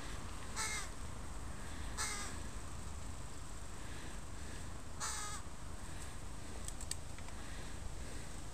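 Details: Crow family with young crows in a park, recorded on a Sunday: three hoarse, grating caws spaced over five seconds, each short and rough, with faint distant chirps and steady low rumble behind.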